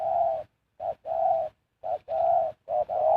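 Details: Spotted dove used as a decoy to lure wild birds, giving low mellow coos, each a short note followed by a longer drawn-out one, repeated about once a second with brief silent gaps.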